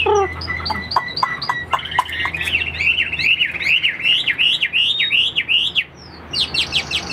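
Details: Partly tamed Chinese hwamei kept in a cage sings clipped repeated notes, then a lively rolling series of twisting whistles, breaking off before a final few high notes.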